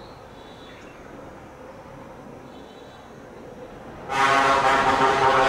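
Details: A quiet low rumble for four seconds, then a sudden loud, broad roar like a passing train or engine that fills the rest of the recording.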